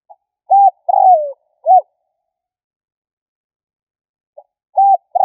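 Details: Spotted dove giving a lure call meant to provoke rivals: clean, mid-pitched cooing phrases, each a short hooked note then a longer descending slurred coo, in two bursts separated by a pause. There is no other background sound.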